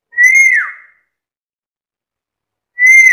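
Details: Chatty, talking black-capped lory producing a pure whistled note that holds level and then drops away, followed after a long pause by the start of the same whistle; no other sounds.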